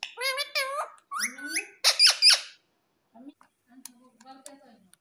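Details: Pet green ringneck parrot indoors in a small room, taught to say "mummy": harmonic squeaky voice-like syllables in quick bursts, then a pause and faint low murmuring.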